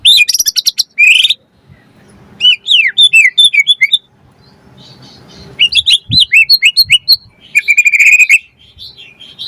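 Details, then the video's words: White-rumped shama song played as a lure to provoke other birds to sing and for tutoring: varied slurred whistles and rapid chattering phrases, with quiet pauses between bursts. "Pancingan Murai Batu Langsung Nyaut Auto Bunyi Cpt Gacor Full Isian Buat Masteran Suara Burung Murai"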